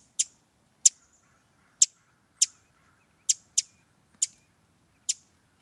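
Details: Pacific Wren giving eight sharp, high, dry chips at an uneven pace, sometimes in quick pairs, over about five seconds; these diagnostic call notes are heard year-round in local forests, outside breeding season too. Professionally recorded, quiet background.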